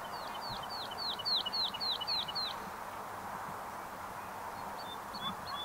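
A woodlark sings a fluting run of about eight soft, falling high notes in under three seconds, then a few faint notes, over a steady background hiss.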